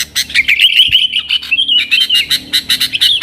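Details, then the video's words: Yellow-vented bulbul singing steadily, meant to draw in wild sooty-headed bulbuls; an unbroken stream of quick, pulsing chirps wavering up and down, about four to five notes per second. "TRUCUKAN GACOR Nggaruda"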